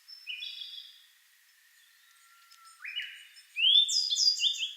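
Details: Subadult Grey bunting (Emberiza variabilis) song at Kagami-ike, Togakushi, alternating with a Siberian blue robin: clear, slurred whistles, a few drawn-out notes, then a brighter burst of rising, tinkling phrases near the end.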